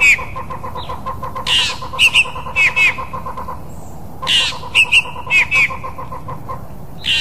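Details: Fork-tailed drongo from Africa giving phrases of rasping bursts and twangy metallic notes, repeated about every 2.5 seconds, over a steady background of rapid pulsing insect-like ticking.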